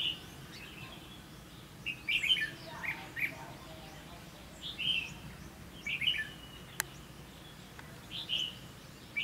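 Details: Red-whiskered bulbuls during late-season trapping at Lương Sơn, Hòa Bình, Vietnam, two birds fighting overhead near a caged decoy: short bright chirpy whistled phrases, repeated every one to two seconds over a quiet rural background.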